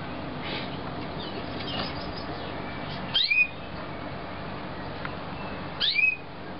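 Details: Young canaries from 2009: two short, sharp chirps that sweep upward and then quickly drop, about three seconds apart, over a steady low hiss.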